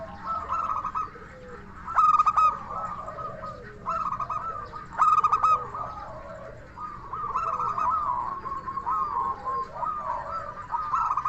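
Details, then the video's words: Local Indonesian zebra dove with a crystal-clear lure song to make other doves respond: repeated bubbling coo phrases roughly every one to two seconds, several starting with bright, sharp accented notes. "Perkutut Lokal Gacor SUARA KRISTAL Ahlinya Bikin Semua Burung Perkutut Langsung Nyaut"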